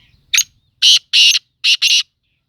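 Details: Black francolin (kala teetar) in Sindh, Pakistan, giving a loud, harsh, rasping call: a single note, a short pause, then two paired bursts, five grating notes within about two seconds against a quiet background.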